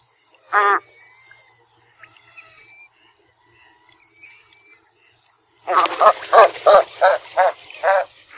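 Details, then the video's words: American white ibis: a single nasal honk, then after a pause a rapid run of about eight hoarse grunting honks in under three seconds, over thin whistles of other birds and a steady high hiss. "American White Ibis(Eudocimus albus) Call"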